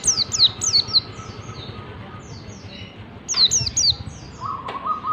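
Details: Training song of a caged white-eye, ngalas style: quick clusters of high falling whistles, a pause, then another cluster, with a steady faint lower whistle and a short sharp click near the end.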